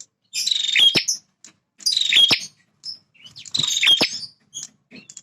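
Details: A male bar-winged prinia sings in its territory. Three harsh, buzzing trills come roughly every one and a half seconds, each ending in a crisp click, with faint short chips in between.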